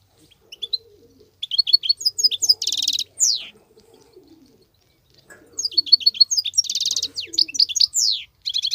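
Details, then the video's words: European goldfinch, wild, singing continuously: rapid high twittering notes, buzzy rasping trills and downward slurs in two long bursts, with a dove's soft low cooing in the background. "صوت الحسون البرى:مقنين خلوى ممتاز..بتبتات.. غناء لاينقطع"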